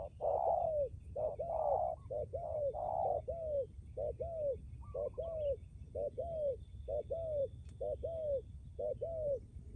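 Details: Spotted dove kept as a strong-cooing decoy bird, giving a steady run of short, hollow coos about once a second, often paired, with a longer-lasting finishing coo and faint background noise.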